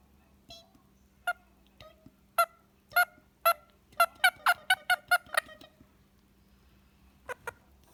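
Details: Pet Indian ringneck parakeet relaxing with its owner in the evening, giving short harsh harmonic squawks, then a quick run of about eight rapid notes around the middle, and two final squawks after a pause, with a low steady hum behind.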